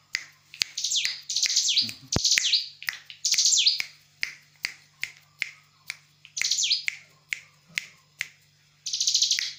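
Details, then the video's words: Lure call of the bar-winged prinia, used to draw replies from birds: bursts of high, wavering chirps mixed with loud snapping clicks and a faint low hum. "suara pancingan ciblek gunung paud agar ikut nyaut"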